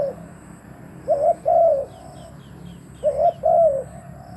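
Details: Captive spotted dove luring wild doves with two mellow double coos, each a short note then a longer wavering one; faint high chirps of another bird sound in the background.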